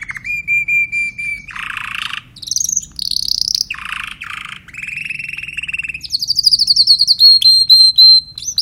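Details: Song of a Timbrado canary: a steady held note, harsh buzzy bursts, a low rattling trill, then higher rapid rolling trills and repeated chirps in varied phrases.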